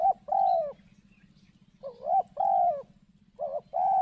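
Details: Decoy spotted dove placed in thick cover to lure a wild dove a trapper has been pursuing: repeated mellow, hoarse two-part coo phrases with short gaps between them, over a low steady hum.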